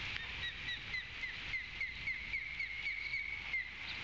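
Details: Female osprey at a coastal Georgia nest on 14 February 2020 calls loudly just before the male arrives with a fish: a rapid run of sharp, high, downslurred whistled chirps, three or four a second, over steady hiss.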